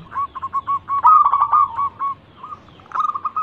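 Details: Local zebra dove used to lure others into singing: soft spaced coos, a louder rapid cluster, then scattered quieter notes ending in a short burst.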